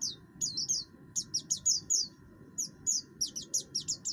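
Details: Oriental white-eye, buxtoni form, singing harshly to set off other birds' song. Quick runs of high, falling chirps come in two bursts separated by a short pause, over a low steady hum.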